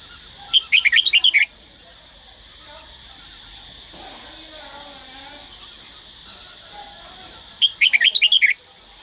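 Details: Red-whiskered bulbul from Daklak, trained for singing, gives a fast whistled phrase of several chirpy notes, then a long gap with soft, low warbling in the background, before a second similar bright phrase.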